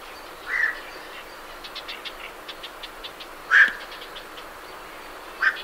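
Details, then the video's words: Night herons calling as they leave their roost, recorded at medium close range: three short, harsh single croaks spaced well apart, with soft chattering of Great Reed Warblers in the background. "Night Heron Calls"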